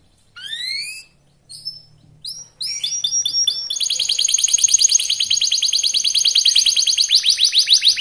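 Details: Young local canary in full, fast lure song meant to make rivals sing: separate rising whistles and short chirps at first, then a long, rapid, bright trill that speeds up and holds for over four seconds.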